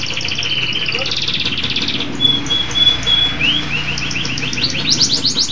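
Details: Local canary singing: fast buzzy trills, a thin sustained high whistle, then a run of quick rising chirps, over a low background hum.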